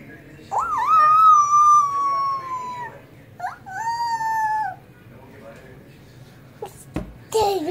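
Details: Rooster crowing twice: a long, high, nasal drawn-out note of over two seconds, then a shorter second crow, in a small indoor space with a low background hum, followed by a person speaking briefly.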